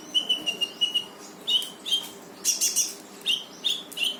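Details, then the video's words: Brown-throated sunbird singing hard in 'gacor' rapid-fire style, played to coax a quiet bird into singing: quick run of even high whistled notes, then spaced sharp chirps and a short trilled burst. "KONIN GACOR FULL TEMBAKAN || UNTUK MANCING KONIN MALES BUNYI LANGSUNG IKUT BUNYI"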